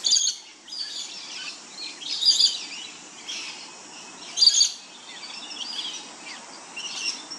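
Masked lapwing giving loud, harsh, high chattering bursts roughly every two seconds, with fainter twittering between them.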